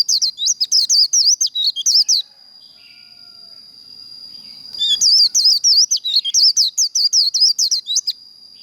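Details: White-eye performing the 'líu' contest song style for fire-up training: two bursts of rapid, high, zigzagging chirps, about two seconds each, with a pause between holding only a steady thin high whine.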